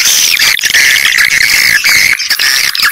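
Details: Swiftlet calls used as a lure to attract swiftlets to a bird house: loud, dense, continuous high twittering and chirping in overlapping layers, with barely any gaps.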